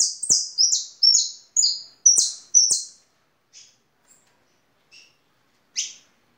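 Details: European goldfinch giving a string of high, slurred, descending notes in quick succession, then scattered soft chips and one final sharp chirp after a lull.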